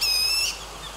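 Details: White-throated laughingthrush at its nest in the Himalaya, a chick begging for food from the parent: a single thin, steady, high note lasting half a second, then cutting off into quiet background hiss.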